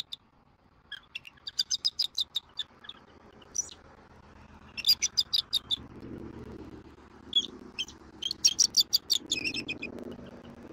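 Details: Bald eagles at a Florida nest in January, the eaglet snuggling under its parent: rapid high piping chirps in several uneven series, with low rumbling background noise.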